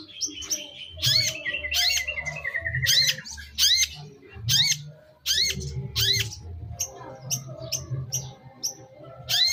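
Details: Long-tailed shrike song used to provoke a reply, mixing sharp, hooked, downward-curving chips repeated roughly once a second with a short run of quick whistled notes, over a low background hum.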